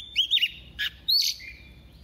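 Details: Female Oriental magpie-robin used as a decoy, singing in a double-voiced style to excite males: bright whistled phrases sliding around a steady pitch, then a harsh buzzy note and a rising whistle, over a quiet low hum.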